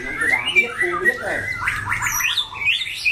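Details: Caged competition white-rumped shama, loud and harsh-toned, giving slurred whistles followed by a quick series of rising, sharp chirped notes.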